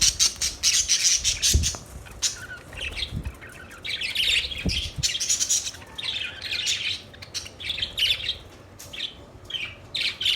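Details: Several budgerigars keep up near-continuous scratchy, warbling chatter and squawks, dense and overlapping throughout, with a few soft low knocks underneath.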